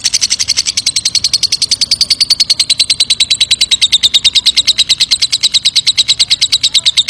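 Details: Lovebird in long ngekek song, used as a lure sound to make others reply: an unbroken, rapid chattering trill of high, sharp pulses that runs the whole time, its pitch sliding slightly lower toward the end.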